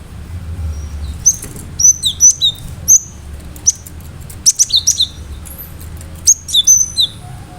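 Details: Gelatik batu, or cinereous tit, singing continuously with sharp shot-like notes meant to draw responses from other birds; dense series of high, quick whistled notes with down-slurred tails, phrases of two to five notes, soft low rumble behind.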